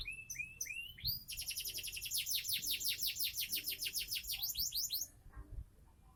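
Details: Seven-month-old caged Sonji SF canary in Indonesia: a few rising whistles lead into a long, fast burst of high descending trilled notes that ends abruptly.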